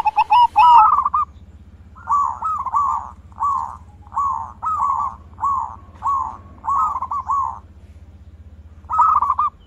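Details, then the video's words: Lure song of a zebra dove mixing big-voice, bekur and crystal variations: a steady run of nine or so bubbling, rolling coo phrases about every half second to second, with a constant low droning hum beneath. "Pancingan Perkutut Gacorrr dorrr- Solusi Macet Bunyi Variasi suara besar, bekur, kristal"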